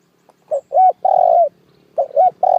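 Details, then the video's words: Spotted dove calling as a trapping lure: two short low coos followed by a long steady coo, then the pattern repeats, loud and clear with faint low rumbling beneath. "Tiếng chim cu gáy kích mồi cực mạnh cuckoo bird trap"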